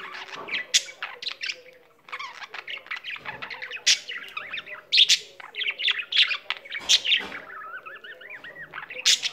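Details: Pet budgerigar in full song, a dense chattering warble of rapid chirps, clicks and sharp squeaks with wavy whistled notes, continuing almost without pause; a soft low hum runs underneath.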